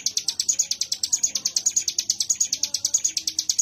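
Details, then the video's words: Prinia known as ciblek gunung in a ngebren 'wave shot' song: rapid, shrill, tightly spaced chip notes forming a continuous high rattle that keeps an even beat and volume from start to finish. "Tembakan Gelombang Ciblek Gunung"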